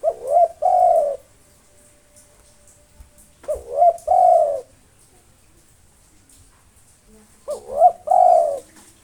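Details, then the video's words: Local spotted dove singing nonstop to provoke rivals: a three-note cooing phrase, a quick rising double coo followed by a longer mellow coo, repeated about every 3.5 seconds, three phrases in all, over a quiet hissy background. "SUARA BURUNG TEKUKUR LOKAL NAFAS PANJANG GACOR NONSTOP MANGGUNG 7 MENIT COCOK UNTUK MANGGIL LAWAN"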